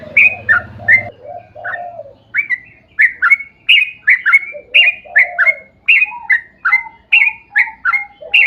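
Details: Energetic yellow-vented bulbul song of the long ropel panjang kind, a lure for fellow bulbuls: crisp chirps repeated almost twice a second, mixed with low fluty warbles, a low hum at the start.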